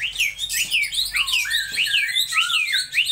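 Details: Laughingthrush repeating loud descending whistled slurs about twice per second, interspersed with lower swooping notes, forming an energetic, steady phrase.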